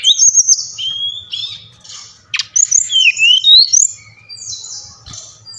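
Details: Song of a Brown-chested jungle flycatcher from Bali, used to rouse captive birds: high whistles and buzzy notes, a sharp downward sweep, then a fluid rising and falling warble.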